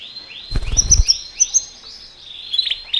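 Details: Timbrado canary song used for training canaries: a rapid string of bright, arching whistled notes repeated several times a second, with a brief low thump early on.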